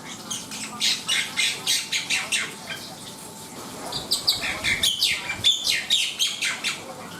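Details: Black-winged myna in full song. A rhythmic series of harsh, scratchy notes repeats roughly every third of a second, then breaks into mixed chatter with short bright whistles.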